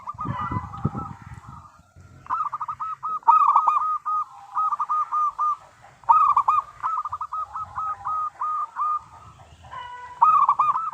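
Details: Zebra dove of local stock, the lure song meant to set other doves singing: repeated staccato bursts of quick, bubbly coos at steady mid pitch, each burst lasting about a second or two, with low background murmur between.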